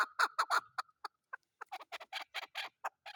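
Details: Chukar partridge calling in a rapid series of loud, harsh clucking notes, the first few strong and close together, then shorter chuck notes repeating about every fifth of a second.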